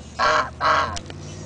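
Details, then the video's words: Two loud, grating goose honks in quick succession, each about a quarter second long, from noisy geese at Big Cypress, then quieter background. "Loud & Obnoxious Geese"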